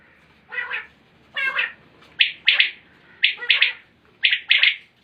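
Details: Common quail calling, recorded in 2020: short bursts of two or three quick, sharp notes repeated about once a second. The first two phrases are lower and more hoarse, and the later ones are clear and ringing.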